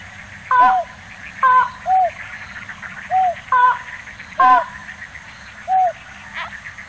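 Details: Slaty-legged crake in Tainan City, Taiwan, recorded on 9 December 2019: short, mid-pitched nasal notes, some with a quick downward loop, given irregularly about once a second over a faint background hum.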